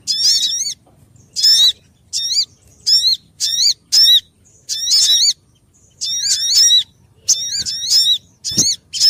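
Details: {'text': 'Lure call of the Sogon for catching birds: bright, ringing whistled phrases, each a quick upward-curving note repeated in clusters, separated by pauses of about half a second.'}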